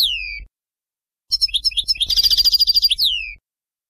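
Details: European goldfinch performing Bainam Ghazarat song for young birds to learn: a downslurred whistle, a short gap, then a quickening series of chirps building into a rapid trill and a final falling note.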